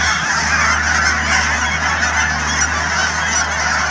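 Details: Canada geese by the thousand at the Cheam Wetlands, BC, filling the air with a thick, steady clamour of honks from many birds, over a soft low background drone.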